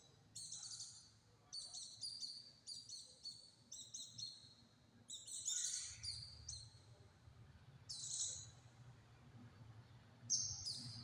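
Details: White-eye song valued for dense, tight delivery and used to tutor other birds: a quick run of short, high twittered phrases, then longer, louder, shrill bursts, with a low rumbling background.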